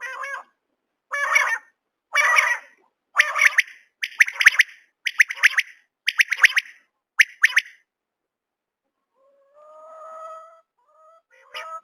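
A common quail gives eight sharp, harsh calls, about one per second, then a softer, lower, drawn-out note after a pause.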